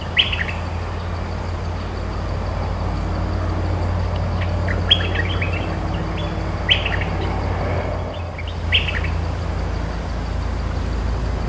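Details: Cream-vented bulbul, a territory-holding bird answering back, giving short bright bubbly phrases spaced a few seconds apart over a steady low hum.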